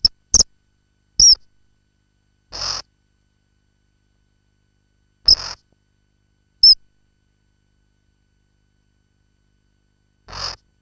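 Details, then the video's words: Common kingfisher (Alcedo atthis) recorded in its nesting burrow, giving short, shrill, high whistled calls at irregular intervals, mixed with a few brief hissing, scratchy bursts in a quiet setting. "Hlas ledňáčka (Alcedo atthis), Kingfisher"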